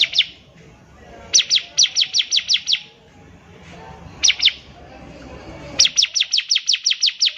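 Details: Bar-winged prinia singing, used as a model for young birds to learn: fast runs of sharp, high downslurred notes repeated about five per second, in bursts of two to ten, with soft background rumble.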